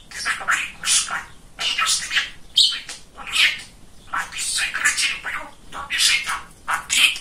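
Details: Very chatty male pet budgie indoors: a continuous, gravelly warbling chatter in speech-like bursts about half a second long, with a few brief squawky accents.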